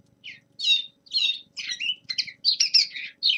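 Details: Young male common linnet in winter practice song: a series of distinct high chirps and slurred whistles, each about half a second apart, growing busier toward the end.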